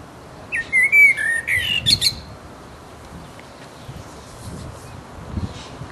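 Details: Resident blackbird in full voice with its mating song: a rich fluting warble of several whistled phrases ending in thin high twitters over about two seconds, then near silence with faint low background noise.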